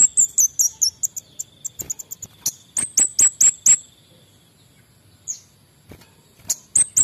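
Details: Male orange-headed thrush in full, active song, used to stir quiet birds into singing: very high, thin chirped notes in quick runs and short bursts, mixed with sharp clicking pulses, broken by brief pauses.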